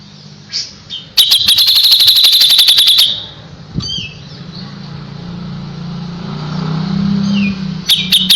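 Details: Kapas tembak heard in tutor song for white-rumped shama: one fast burst of sharp, high repeated notes lasting about two seconds, followed by faint calls over a low background hum, then a brief renewed burst.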